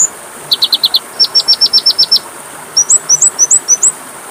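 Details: Kacer (Oriental magpie-robin) masteran phrases: a quick burst of five high chips, then a steady string of eight clear descending whistles, a pause, and a series of rising upslurred whistles.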